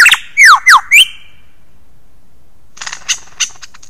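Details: Australian lyrebird imitating other sounds: three loud, steeply falling whistles in quick succession, then a pause and a few faint high clicks and chips.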